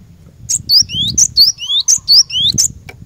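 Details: Cinereous tit singing, used as a lure recording to get caged birds singing: loud, rapid series of clear rising whistles alternating with sharp high notes, repeated about every third of a second, over a low background hum.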